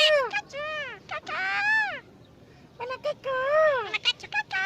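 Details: Jungle myna imitating human speech: loud, nasal, voice-like phrases with long arching syllables, a brief pause, then another run of quick word-like notes.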